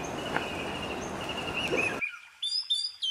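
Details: Scarlet finch (Carpodacus sipahi) seen in the Himalayas in December 2023, early morning around sunrise, giving clear, high whistled notes in quick short phrases over background hiss, then near silence. The audio may not be this bird's own sound.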